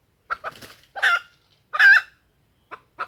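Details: Female junglefowl call used for luring males into crowing: a few short stuttered clucks, then two drawn-out hoarse, nasal notes with short clicks between, against silence.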